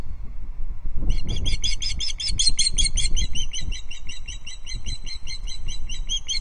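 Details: Nest-cam recording at Loch Arkaig: a female osprey on the perch calls in alarm at a distant intruder osprey, 5 August 2022; after a quiet second, a steady stream of piercing, repeated squealing notes begins and continues.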